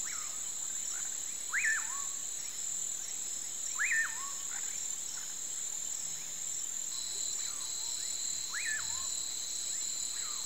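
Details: Common pauraque (Nyctidromus albicollis) singing at sunset in the countryside: a sharp rising then falling whistled note ending in a lower tail, repeated every two to three seconds over steady insect buzzing.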